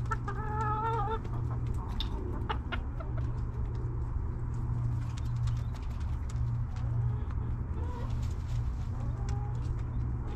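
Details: Backyard hens in their coop, eating and relaxing: a drawn-out, wavering, tonal call in the first second, then scattered sharp pecking clicks and rustling over a steady low hum.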